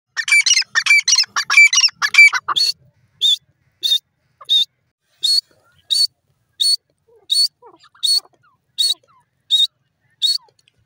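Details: Female francolin calling: a jumble of rapid scratchy notes at first, then a steady series of short sharp, slightly nasal call notes repeated about every two-thirds of a second on an even pitch.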